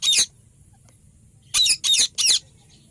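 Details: Ringneck parrot giving loud, harsh, raspy squawks: one short burst, a pause, then three quick bursts in a row, each about a quarter second, with a quiet background.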